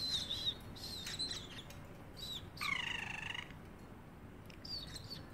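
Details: Pet parrotlet in a cage giving thin, high whistled notes, then a short buzzy pulsed cat-like note, then more whistles, in a quiet room.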